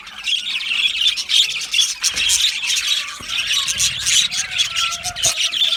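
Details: Loud calling from a lonely budgerigar, contact calling or expressing distress to attract interaction: unbroken harsh high chatter and screechy squawks in rapid, uneven bursts, loud from start to end.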